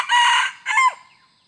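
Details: Crow of a red junglefowl, recorded while luring wild junglefowl with a decoy on 2 November 2021. The crow is already under way: a long, harsh strained syllable, a brief gap, then a shorter falling note that fades out.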